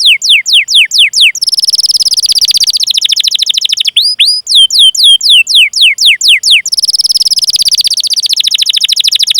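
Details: Canary lure song with 'cuit cuit' calls and long rolls: a few descending whistles, a long fast buzzy trill, a run of steep falling sweeps, then another extended rapid roll.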